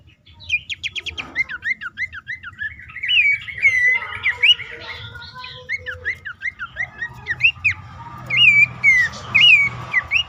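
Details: Abbott's babbler calls used to prompt caged birds into song. Fast bubbling opening, then a long run of repeated looping chirps roughly twice a second, ending in louder swooping whistles. Low background noise.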